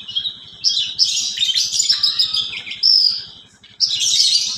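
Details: Horsfield's bush lark (parva), kept in captivity, in lively song that mimics sparrows and canaries: dense bursts of high twittering and sharp whistles, broken by short pauses, over a low rhythmic ticking hum.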